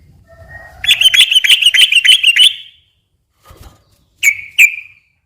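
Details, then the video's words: A sooty-headed bulbul gives a quick, high chattering trill of about a dozen sharp notes, then falls quiet before two separate bright whistles. The song is used as a lure for other bulbuls. "kicau suara trucukan gacor ropel pelan dan ropel panjang ini cocok tuk memancing trucuk bahan ombyok"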